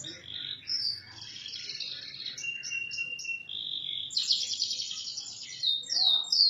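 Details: Canary singing as training material for other birds, with varied buzzy trills, short repeated notes, a sustained tone and a loud high rattling passage over faint background noise.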